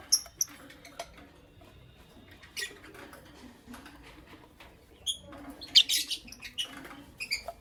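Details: Creamino and Lutino Opaline lovebirds in the morning giving scattered short, sharp high chirps and squeaky notes, some paired, with soft tapping and clicking between calls in a quiet room.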